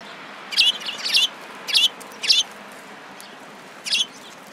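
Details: Sparrows gathering at feed at a Tenmangu shrine on 11 January 2017, giving sharp, bright chirps in short clusters of one or two notes, irregularly spaced about a second apart.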